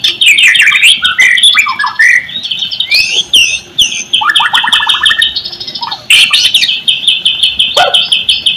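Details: White-rumped shama song used as a lure to get idle shamas singing: rich tumbling phrases of whistles and chatter, a rapid low rattling trill midway, then steady bright high chirping.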